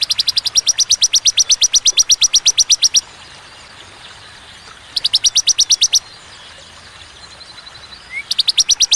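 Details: Bar-winged prinia singing a clear, spaced 'tembakan' song: a long rapid string of high, evenly repeated notes lasting three seconds, a pause, another shorter burst, then the trill resumes after a brief chirp.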